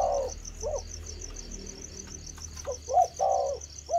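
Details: Spotted dove beginning to coo: low, soft hooting notes in short groups, mostly near the end, over a steady high insect chirring and faint low background hum.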